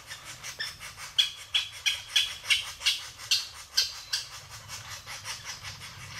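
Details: Japanese green woodpecker uttering a rapid string of sharp, high notes that swell and then fade, set against a steady low rumble.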